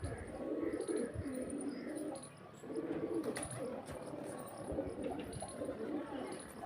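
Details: Pigeons in a flock of mostly males with four or five females in Pakistan, a young bird now grown, giving low gurgling coos in several bursts, with short pauses between phrases.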